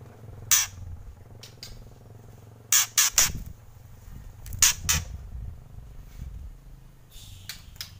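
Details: Harsh crackling kretekan of a white-rumped shama, with loud rasping bursts arriving singly and in tight clusters of two or three, separated by quiet gaps, plus faint softer chatter toward the end.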